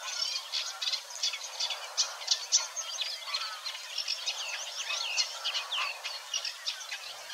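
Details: A Eurasian Reed Warbler burbles on at Wetering West, Overijssel, in early May 2022, mixing grating chirrs with a few slurred whistled notes and modest imitations in a continuous jumbled flow.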